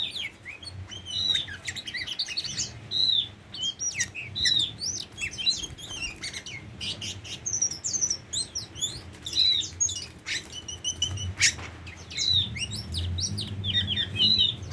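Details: Tame Oriental magpie-robin giving an extended, busy song of rapid chirps, whistles and scratchy notes in dense bursts with short pauses, with low background hum throughout.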